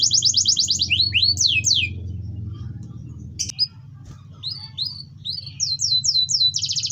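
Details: Canary song to make quiet canaries join in: a rapid trill, swooping whistles, a click, then spaced rising chirps building into a fast trill, with low humming noise.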